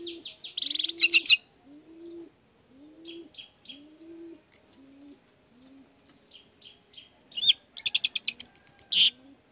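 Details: Orange-headed thrush song used as a lure to prompt a reluctant bird to sing freely: dense bursts of rapid, varied high chirps and trills at the start and end, with soft low cooing repeated steadily throughout.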